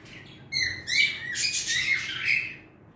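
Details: Pet bird, male, singing indoors: a burst of varied chirpy, warbling notes begins after half a second and runs for two seconds, mixing high twitters and squawky slurs before fading out.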